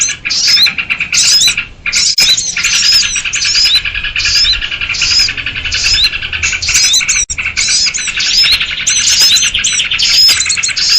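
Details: Noisy lure recording of sooty-headed bulbuls for trapping small birds, packed with high twittering and bright, clipped whistles in rapid overlapping bursts, a steady crowded chatter throughout.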